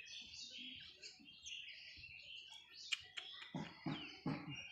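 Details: Parrot chick on its first day of hand feeding gives a continuous stream of thin, high, wavering cheeps, with a few sharp clicks and brief human voice at the end.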